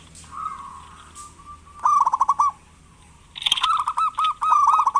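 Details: A local zebra dove sings freely as a lure to prompt lazy doves to call. A drawn-out tonal coo opens, then two bursts of quick, rolling, stuttered notes follow.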